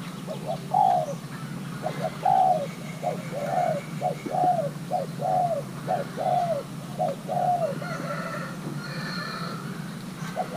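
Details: Young male Thai-hybrid spotted dove being paired, cooing in its calling style: a long run of short hoarse coos, each a quick note followed by a slurred descending coo, repeated steadily about every half second over low steady background hum.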